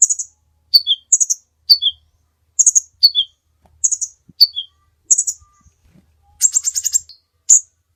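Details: Training song for other birds from a kolibri ninja sunbird: high sharp chirps, each followed by a lower dropping note, in a steady run that ends with a short buzzy trill. Faint low clicks in the background.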